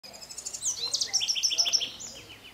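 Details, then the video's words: Scrub blackbird, subspecies warczewiczi, at Sachatamia Lodge, Ecuador, in May 2012: a sharp high opening note, then a rapid series of about seven bright, ringing chips at an even pace, fading at the end. "Quiscale buissonnier (Dives w. warczewiczi) Scrub Blackbird"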